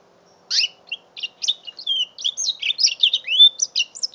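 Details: Young mule canary, five months old, singing after half a second of quiet: quick high chirps build into a dense run of warbled, slurred whistles and trills, about two or three notes per second, over a soft steady hum.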